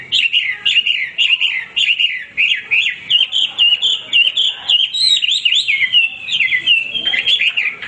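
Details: Male hwamei in energetic song, with fast repeated whistled notes that bounce up and down and change into looping slurred phrases, sung without a break.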